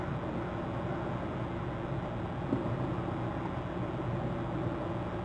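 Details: Continuous rushing background noise and low rumble, without any animal sound.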